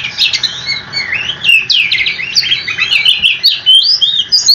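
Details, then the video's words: Oriental magpie-robin singing a long unbroken rolling song that is meant to draw answers from other magpie-robins. Bright whistled notes and quick downward slurs pile into a busy, loud run. "Kicau Kacer super ngerolllll abis dijamin kacermu langsung nyaut"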